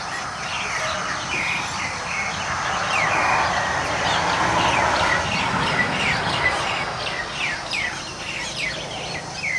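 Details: Nias starlings fighting each other in a group: dense, rapid downslurred chirps and squeaks, several birds calling over one another in quick succession, over a steady background hiss.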